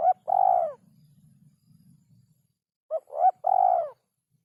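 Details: Spotted dove with a song rhythm said to be very rare: a clipped note and a long descending coo, then after a pause two short notes leading into a sustained, slightly burry coo. Faint low rumble in the background.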